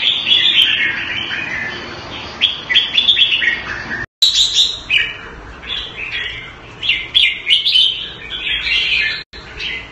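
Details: Caged red-whiskered bulbul kept Thai style in Singapore, pouring out bright whistled, warbling phrases around the upper-middle range, with quick bursts and short pauses, two brief dropouts in the recording.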